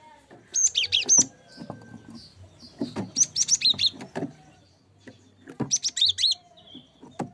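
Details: Cinereous tit song as a tutor for songbirds: three phrases of quick, high, slurred whistles spaced a couple of seconds apart, with soft knocks and low background noise.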